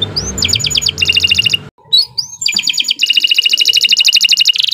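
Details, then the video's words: Master song of a canary for teaching young birds, long and nonstop: rapid high trilled bursts and upward-swept whistles, a brief pause, then a sustained fast rattling trill series against faint low background noise. "Kicau Burung Kenari 90 II GACOR PANJANG Cocok untuk Masteran"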